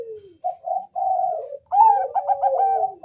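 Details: Bangkok zebra dove singing as a lure to prompt other doves: a falling coo, two level mellow notes, then a quick stuttering trill over a sliding lower tone.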